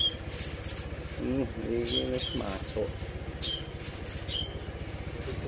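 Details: Brown-throated sunbird song, an "isian" filler style: high, thin whistled notes held about half a second each, repeated three times, with short downslurred chips between and lower chattering notes underneath.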